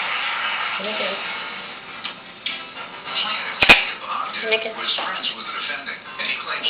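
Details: A Jenday conure (Aratinga jandaya) mimics a short spoken phrase in a scratchy, high voice and gives a sharp smacking kiss sound partway through, with faint room noise.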